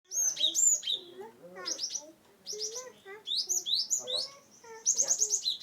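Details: Cinereous tit (gelatik batu) from Wonosobo, used to coax reluctant birds into singing: busy bursts of high hooked notes falling from very high to high pitch, mixed with soft low whistles and brief pauses.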